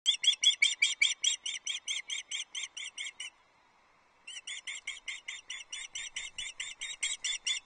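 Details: Female osprey on a nest at Loch Arkaig, 27 April 2024, screaming for fish as her mate flies past before delivering the first fish, a headless trout. Rapid series of high, harsh, evenly spaced squeals, a brief pause, then the series resumes.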